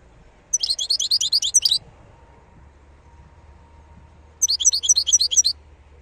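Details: Two bursts of wild European goldfinch song, each about a second of rapid, liquid, high twittering notes, separated by a pause of roughly three seconds with a low steady hum.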